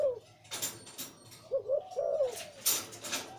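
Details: Zebra dove, breeding male of the Liu Tan coo style, with a deep voice: a short run of low, rolling, arched coo notes near the middle, between sharp broadband clicks and knocks indoors.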